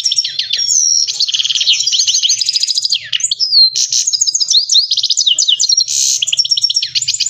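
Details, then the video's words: Himalayan goldfinch kept as a cage bird, pouring out a rich, rapid song of trilled chirps, buzzy passages and fluid whistled glides, almost without a break. "Himalayan Finch Full Sining Saira Singing HD سایرہ کنری مست Goldfinch Singing"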